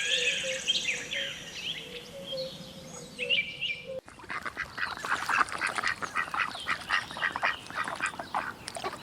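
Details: Ducks quacking in a chorus of harsh, nasal calls repeated in rapid irregular bursts, preceded by a few seconds of higher whistled bird notes.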